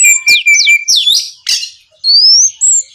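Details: Oriental magpie-robin song in the 'gacor ngeplong' style, played to make other magpie-robins respond: a held whistle, quick falling slurs, a rough burst, then a long rising whistle ending on a high note.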